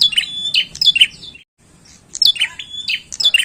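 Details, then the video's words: Bar-winged prinia in full voice: a few quick, high chirping phrases, a short silent break, then the chirps resume sharply. "PRENJAK GACOR PIKAT OKE"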